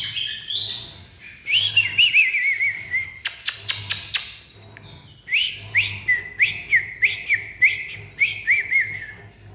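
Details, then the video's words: An Oriental magpie-robin sings loud, clear whistled phrases of quick sliding notes, several per second, on first seeing a rival (not fighting), with a burst of sharp clicks midway. "chòe than Đo điện khi mới nhìn thấy đối thủ"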